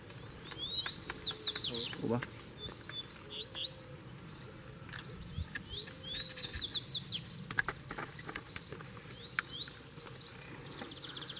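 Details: Wild Double-collared seedeater singing near a caged bird, answering it to show who rules the territory: two bursts of rapid, twittering upswept notes, high and bright, about five seconds apart, over low rural background noise.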